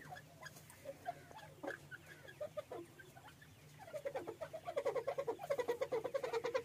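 Grey francolin giving loud, ringing repeated notes that start scattered, then build into a rapid, rhythmic series of sharp calls over a faint background hum.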